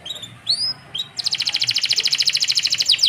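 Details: Canary song used as a tutor recording for young canaries; a few high rising whistled notes, then a fast, steady trill of bright repeated notes running to the end.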